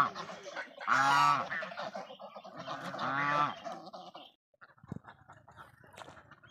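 A goose gives two loud, nasal, drawn-out honks about two seconds apart, then quieter calls and background noise follow.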